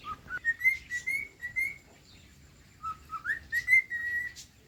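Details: Cockatiel singing: a string of clear whistled notes climbing step by step, then holding steady, a brief pause, then the same rising whistled phrase repeated.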